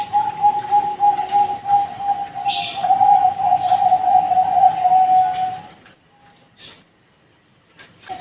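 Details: Zebra dove chicks of the Bangkok type sing a long, level, vibrating coo lasting several seconds, then fall quiet with only faint chirps and rustles afterward.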